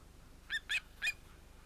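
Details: Osprey nest in Finland, 31 July 2018, adult pair and two chicks probably male: three short, clear whistled yelps within about half a second, then quiet.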